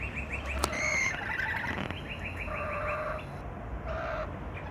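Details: Rainbow lorikeets in Lindfield giving quick runs of short, high chirps, several per second, against sustained tonal notes and a low background rumble.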